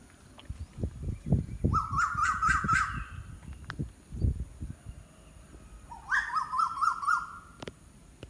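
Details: Two separate trilled phrases from an unidentified bird, each a rapid quavering whistle that rises slightly and holds, with low thuds and handling knocks around them.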